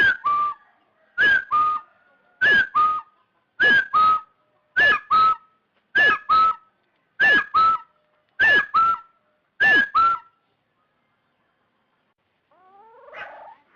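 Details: Lure recording of a rufous-throated partridge giving nine steady double whistles, each a curving higher note then a flat lower one, about 1.2 seconds apart, followed by silence and a faint, different sound at the end.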